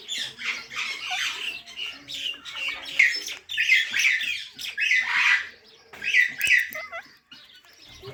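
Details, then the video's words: Parrot chirping: harsh, broadband squawky notes in irregular bursts, some paired, with short quieter gaps between phrases. "Natural Parrot Chirping Sounds"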